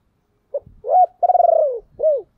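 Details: Calling decoy spotted dove meant to draw in wild doves. It gives a brief low note, a rising-then-level coo, a drawn-out throbbing coo that drops at the end, and a closing down-curving coo. Faint low thumps sit beneath the calls.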